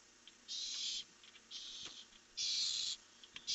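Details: Barn owls at night, 1 July 2015, on a camera as a pair flies off into the darkness: three harsh, hissing screeches of about half a second each, the middle one softer, over steady background hiss.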